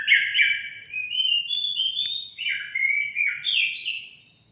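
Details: Orange-headed thrush song for stimulating pet birds to sing: a continuous sweet melody of clear whistled notes that wander up and down without pause.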